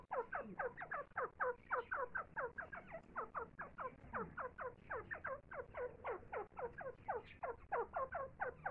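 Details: Rapid run of soft, descending clucks, roughly four each second, from a grey francolin as it feeds its young, with irregular gaps and a quiet background.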